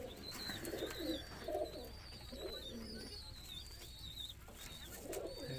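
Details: Roller pigeons giving soft, throaty coos in short bursts, some rising and falling. Faint high whistling notes are heard throughout over a constant low background rumble.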